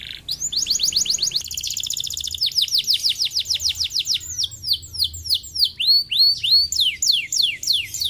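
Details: Canary song meant to be played daily so birds sing diligently: a short buzzy note, then long rapid trills of repeated whistled sweeps, changing into slower, looping upward and downward phrases, high-pitched and continuous, with a low hum beneath.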